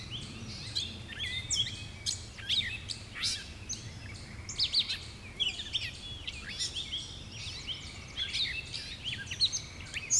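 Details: Gray catbird (Dumetella carolinensis) on New Leaf Trail, Jackson County, Michigan, 30 May 2019: a long, jumbled string of squeaky, chattering notes, high and varied, with hardly a pause, over a low background rumble.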